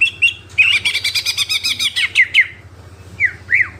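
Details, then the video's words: Brief burst of greater green leafbird song with fill-in phrases, a fast rattling chatter followed by a few slurred whistles and two swooping notes near the end, over a low hum. "CUCAK IJO GACOR FULL ISIAN"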